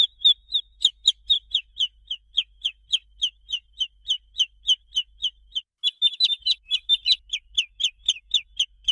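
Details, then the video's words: Young chicken chick giving soft, sweet peeps; a long, fast run of bright descending piping notes, briefly doubling where a second chick seems to join. "SOM DE PINTINHO"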